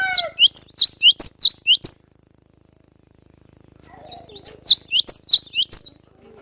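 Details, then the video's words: Cinereous tit, a young bird from the wild forest, singing besetan: two bursts of about six rapid, piercing high whistled notes, separated by a two-second quiet gap. "GLATIK BATU Muda hutan suara asli alam liar full besetan"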